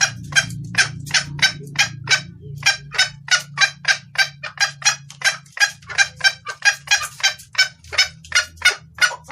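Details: Female red junglefowl giving calls to draw a male, a clear lure recording: a long run of raspy clucks, speeding up in the second half to about three per second, over a low hum that briefly drops out.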